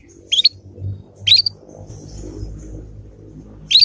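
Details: Young Yorkshire canary learning the ngriwik sound, used as a lure so other canaries respond and learn quickly: three short, sharp upward-sweeping chirps spaced about a second and two seconds apart, over a low indoor hum.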